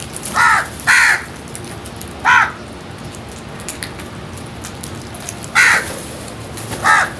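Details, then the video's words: Five hoarse, nasal caws from crows while feeding, an irregular series with a quick pair at the start, a single caw, then two more after a gap, over faint pattering background. "Crows Sounds | Crows lovely and wonderful world | Crows feeding"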